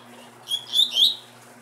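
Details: Single short song phrase from a captive double-collared seedeater: a brief whistle, then two stronger ringing notes slurring downward, all within about a second, over a faint steady hum.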